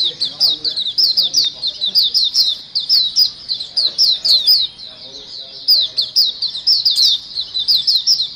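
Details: A flock of white-eyes used as a lure call for trapping, twittering nonstop with many high, thin, rapid overlapping chirps in short bursts about every half second.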